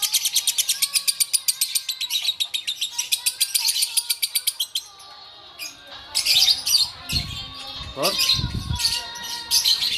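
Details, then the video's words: Lovebird of the bawor type from Takengon, Aceh, singing: about five seconds of rapid, evenly repeated high chirps in a fast trill, then a pause and loud harsh squawking bursts and chattering notes. "LOVEBIRD BAWOR"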